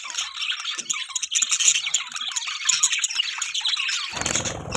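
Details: Budgie mating sounds: a constant stream of high, squawky twittering and chirps, ending in a low rumbling bump.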